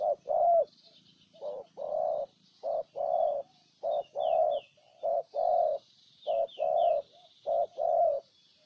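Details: Ninh Thuận, Vietnam: a spotted dove gives soft, hollow coos, a clipped note followed by a longer drawn one, repeated in a loose rhythm, with thin chirping of small birds in the background.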